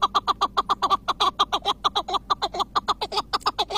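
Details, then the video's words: Long-singing chukar partridge of the Iraqi type delivering a fast, steady run of loud, throaty chuk notes, roughly three to four per second, with no pauses. "IRAK KEKLİK SESİ 🪶 UZUN ÖTEN KEKLİK"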